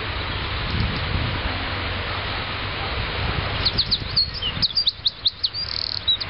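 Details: A singing Eurasian Wren bursts into a loud, rapid run of very high, sharp notes and trills, ending in the characteristic rattling "prrrrt", after a few seconds of steady rushing background noise.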